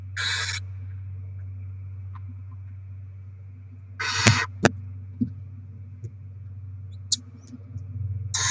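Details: Barn owls delivering rodents to feed the little ones, 07/02/2024: three short rasping hisses spaced several seconds apart, with scattered knocks and clicks and a constant low hum between them.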